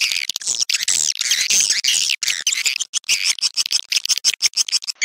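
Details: Dense, continuous swiftlet twittering. Shrill buzzy chirps overlap and flicker rapidly for five seconds with barely a pause.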